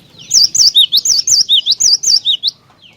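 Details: Cinereous tit in vigorous song, meant to provoke other tits to sing: a rapid run of high, wavy whistled notes, rising and falling in alternating pairs, about eleven notes in two seconds, with a faint low hum behind.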